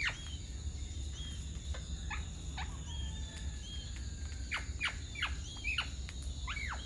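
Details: Alexandrine parakeet, also called Ceylon large parakeet, a resident bird in Sri Lanka: a series of harsh, steeply falling screeches, scattered early and bunched into quick bursts near the end, over a steady low hum and faint high whine.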